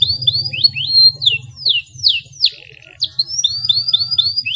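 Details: Canary song meant to stimulate silent canaries: a series of separate whistled notes, rising then falling in sweeps, roughly three per second, over a low steady hum.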